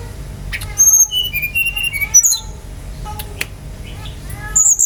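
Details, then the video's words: A Brown-chested jungle flycatcher sings as a lure for other birds: a string of pure whistled notes at varied pitches, some held briefly, then a quieter gap before a high sharp note at the end. "PANCINGAN GACOR SRDC agar cepat ngeplong"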